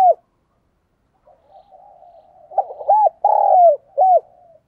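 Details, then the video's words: Spotted dove kept as a decoy bird, cooing to call in wild birds: a brief coo, a faint rolling murmur, then arched notes and a long throaty falling note closing with a short hooked coo. "Tiếng Chim Cu Mồi gáy Gọi Bổi Siêu Nhậy"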